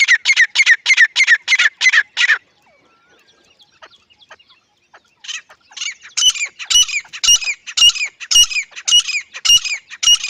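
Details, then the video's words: Grey francolin (teetar) giving loud, raspy repeated notes in a fast run, falling silent for a few seconds, then resuming with a stronger, ringing series of rhythmic calls. "Desi gery francolin partridge love💞 teetar ki zabardasth sound effect"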